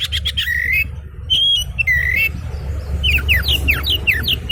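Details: Agitated oriental magpie-robin gives a mix of pure upslurred whistles and raspy notes, ending in a quick series of descending chirps, over a constant low-pitched hum.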